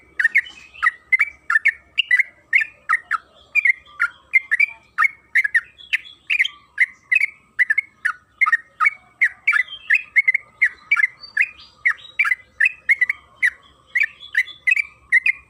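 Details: Yellow-vented bulbul, trucukan kebo, in long rolling 'ropel panjang' singing meant to provoke other birds: an unbroken stream of liquid, slurred notes, about three per second, steady throughout with almost no pauses.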